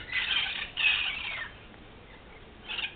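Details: Large wild parrot flock in Los Angeles: two loud, grating screeches back to back, a quiet gap, then a shorter harsh squawk.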